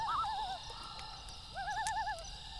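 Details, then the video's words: Loons at night near a crackling campfire, two quavering tremolo phrases, one short at the start and a longer wavering one after a brief pause, over constant fire hiss and pops. "1 Hour Loon Calls With Campfire Sound - Loon Calls For Relaxing"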